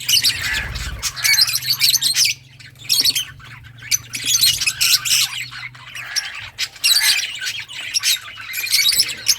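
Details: Many lovebirds of mixed colours giving loud shrill squawks in dense clusters with short quiet gaps, over a low hum and a brief thump at the start.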